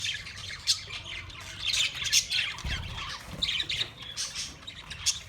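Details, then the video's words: Australian parrots recorded on March 15, 2024, giving harsh, raspy squawks in irregular bursts, several birds overlapping, with low rumbling background noise. "Sounds of Australian Parrots"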